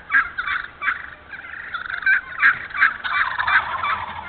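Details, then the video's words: Wild turkey in thinned hardwoods of Moore County, North Carolina, giving loud raspy yelps at uneven intervals, roughly two or three a second, with a softer run of overlapping notes in the middle. "Turkey Talk 2018"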